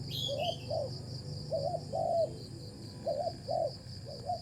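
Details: A wild spotted dove coos while being lured with a decoy: short paired hooting notes in irregular bursts, set against a constant shrill insect drone and a brief high bird chirp near the start.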